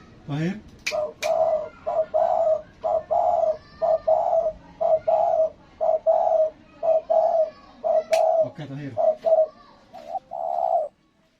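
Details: Spotted dove, a newly caught bird chosen for its voice and body shape, repeats low two-part coos: a short note then a longer, wavering one, about once a second. Clicks and a brief rustle break in midway.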